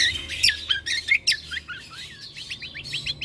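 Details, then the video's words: Yellow-vented bulbul song used as tutoring audio: rapid, busy high chirps and squeaky whistled notes, then a run of short rising chirps repeated at about two per second, over a faint low hum. "Masteran Cucak Kombo"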